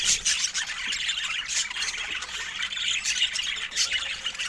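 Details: Pet budgerigars in a busy chorus of shrill chirps, squeaks and rapid warbled notes, overlapping without pause, with a few sharper squawks standing out.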